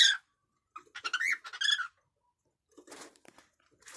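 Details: Happy cockatiel chattering: a sharp chirp, then a run of soft, varied squeaky notes and chirrups, followed by quieter scratchy rustles, indoors.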